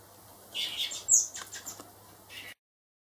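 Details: Hand-raised baby blackbirds, four of them being reared for release, make a tight cluster of buzzy high chirps and scratchy squawks lasting about two seconds, followed by a brief chirp and then sudden silence; a low steady hum runs underneath.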